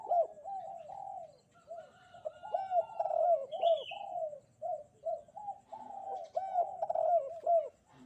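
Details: Bright-morning song of a spotted dove, singing actively: steady rows of low, hollow coos, some rising and falling, with short gaps between phrases and a brief high whistle from another bird.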